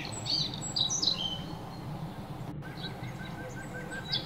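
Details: Playful birds chirping as they bathe and chew food, giving quick high twittering chirps early on, then softer scattered notes, with a brief sharp click midway and constant low background rumble.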